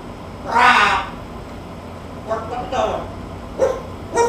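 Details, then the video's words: A talking macaw, prompted by a person saying "bark like a dog" and "quack, quack", lets out one loud, harsh, raspy squawk, then several shorter rough calls mimicking a dog's bark and a duck's quack. "THE TALKING MACAW"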